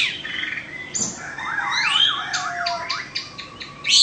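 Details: Indonesian-type Oriental magpie-robin kept in a cage, two seasons old, sings a phrase ending in a rolling, wavering whistle that undulates up and down several times, followed by clipped higher notes.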